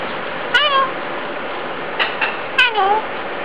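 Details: Cockatoo at a hotel in Batam, talking and grabbing hands; three drawn-out, descending, meow-like calls with rich overtones, spaced a second or two apart, over a steady indoor hum.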